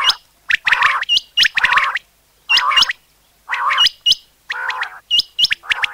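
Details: Common quail call used for hunting, a busy sequence of rasping harmonic bursts mixed with sharp hooked high notes and quick clicks, repeated about once a second.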